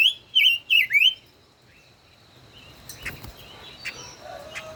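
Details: Caged five-colored bird used as a decoy, kept over a year, singing in a song duel: three loud whistled, wavering phrases in the first second, then faint distant calls.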